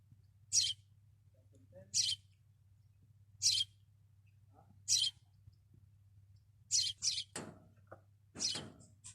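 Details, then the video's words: Singing sparrow on a caravan roof in the desert: a series of crisp high chirps every second and a half, then a quicker cluster of chirps and rougher notes near the end, over a low hum. "sparrow singing"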